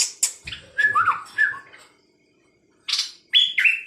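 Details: Bird calling in bursts: harsh, buzzy high notes alternate with lower slurred whistles, then a pause of about a second before more rasping bursts and two flat whistled notes.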